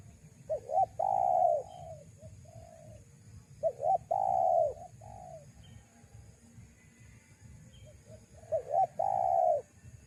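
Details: Spotted dove calling, a sound used to lure wild doves; two short coos lead into a long, loud falling coo and a softer tail note, repeated in three phrases, with faint high chirps and low hum.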